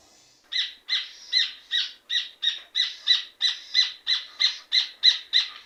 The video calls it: Red ovenbird sound effect - Rufous Hornero sound effect